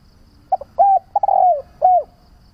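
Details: Single spotted dove call phrase, used as a lure to train doves to call: quick stuttered opening notes, a smooth coo, an extended croo curving downward, and a clean final coo.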